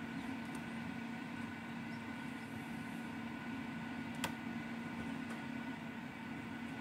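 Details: A steady low mechanical hum fills the recording, broken by one sharp click near the middle.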